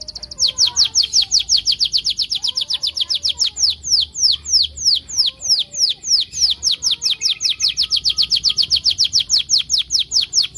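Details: Canary song used as a lure to make other canaries sing: a long rapid roll of high descending whistled notes, about five per second, steady throughout with faint low background hum.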